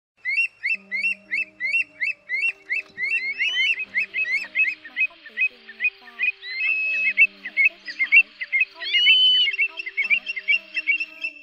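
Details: Greater sand plover flock calling, used to lure migrating birds into nets at night in August 2024: dense overlapping short upslurred whistled notes, roughly two to three per second, with occasional longer rising whistles over a steady electronic hum.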